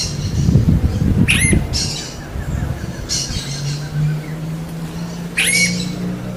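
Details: Wild smooth-billed ani calling; three short, harsh, explosive squawks spaced a few seconds apart, with a low rumble and steady hum underneath.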